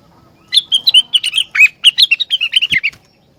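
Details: Rengganis in lively song that makes other rengganis join in: a fast chattering string of roughly twenty clear whistled notes, slurred up and down, over about two and a half seconds, with one sharp tap near the end.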